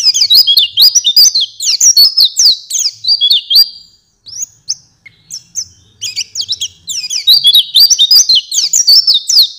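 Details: Oriental white-eye master song for training songbirds: rapid, high, twittering phrases of sliding notes, a brief pause near four seconds, then the bright jumbled chatter resumes strongly.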